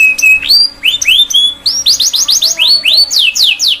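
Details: Singing canary, a training song for young birds: a flat whistle, then rising slurred notes that speed into a quick series of upswept chirps.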